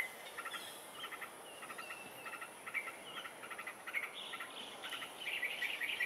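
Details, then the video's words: A Yellow-vented Bulbul in Singapore gives one of its commoner calls: quick, bubbly staccato chatters of several short notes per burst, repeated steadily over soft background hiss. "BIRD CALL: YELLOW-VENTED BULBUL"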